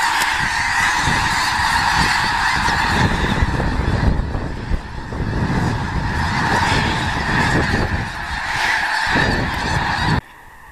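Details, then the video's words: Migrating flocks of snow geese passing through central Illinois at Clinton Lake during a February blizzard, heard close up: a dense, continuous chorus of overlapping nasal honks and yelps from many birds, with wind noise underneath. "snow geese blizzard"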